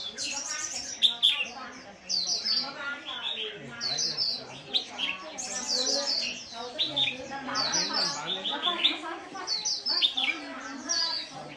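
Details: Chestnut-flanked white-eye singing in the líu style: a dense, continuous stream of high, rapid twittering and jingling notes, with faint low murmuring beneath.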